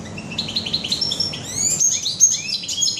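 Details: Goldfinch in a bird shop, recorded 21 June 2015, giving a short liquid twittering phrase with rising slurred notes and thin high whistles, against background hum.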